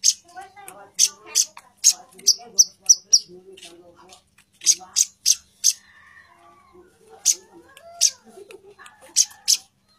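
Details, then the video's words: Female plain-throated sunbird calling to the male: sharp, high chips in quick bursts, some doubled into short rattles, with pauses between runs and softer lower warbling notes underneath. "kolibri manggar betina gacor memanggil manggar jantan"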